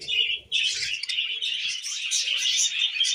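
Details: Brief stretch of budgie chatter from tame birds eating millet: a clear chirp, then a dense rush of overlapping scratchy warbles and twitters.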